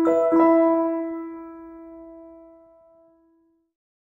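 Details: A single piano chord strikes and slowly fades over about three seconds, with no animal sound.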